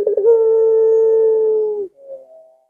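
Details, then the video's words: Puter pelung collared dove, not very aggressive, with a drawn-out arching coo said to provoke other doves into calling: a brief stutter then a steady sustained hum lasting over a second and a half, ending in faint warbling. "Tidak Terlalu Agresip Tapi Lengkungannya Bikin Puter Lain Ga Sabar Ingin Ikut Bunyi"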